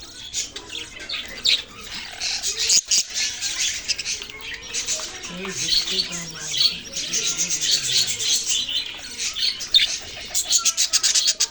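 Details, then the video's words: Chorus of baby budgerigars with continuous high chirps and squawky chatter, plus a few lower murmuring sounds beneath the twittering. "parrot sounds and chirping sounds"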